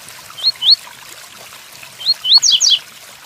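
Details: Double-collared seedeater, Tui Tuí Fibra style song with rain in the background: two rising whistles, a pause, then two more whistles leading into a fast trio of falling buzzy notes.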